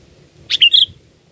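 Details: A sooty-headed bulbul, recorded as a bird-catching lure, gives one crisp phrase of three quick liquid notes, a sharp first note then two slurred chirps, in near silence.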